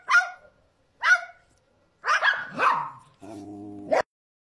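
A cockatoo imitates a dog with short, harsh, barking bursts spaced about a second apart.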